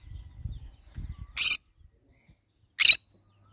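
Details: Low rumbling noises give way to two harsh, buzzy screeches about a second and a half apart from a pet green-cheeked conure.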